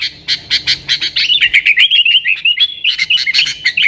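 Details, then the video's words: Nggaruda song from a yellow-vented bulbul, used to call wild sooty-headed bulbuls: a run of crisp staccato chips flowing into rolling, wavering whistles, steady and fast throughout. "TRUCUKAN GACOR Nggaruda"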